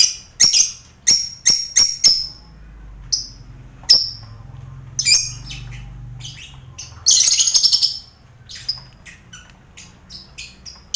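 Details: Lovebird colony in an aviary mixed with finches and quail, a noisy setting for training competition lovebirds; clipped, high chirps repeat at irregular intervals, with one denser rapid chattering burst midway and scattered faint notes after.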